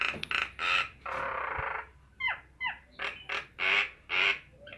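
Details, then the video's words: Nias hill myna mixing loud rasping notes, a long buzzy drawl, pairs of downward-gliding whistles and a final run of strong ringing calls. "Burung jalak nias"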